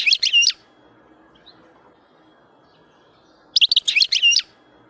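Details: Wild European goldfinch producing two brief bursts of chattering, twittering song separated by about three seconds of quiet background.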